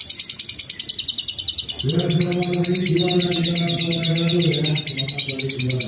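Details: Lovebird keeps up a rapid, high, chattering ngekek trill throughout, while a low droning, harmonic hum enters after two seconds and runs beneath it.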